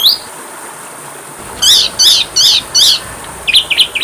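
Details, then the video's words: Oriental magpie-robin (kacer) masteran: one short high whistle, a pause, then four loud harsh chevron-shaped notes spaced about a third of a second apart, ending with quick scratchy chatter. "masteran Kacer suara burung kecil"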